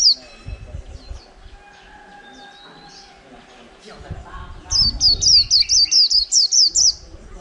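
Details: Wild-caught white-eye kept caged over a month, in 'líu' song: scattered soft notes and a thin whistle, then a loud burst of about ten quick, high, descending chirps; faint background voices.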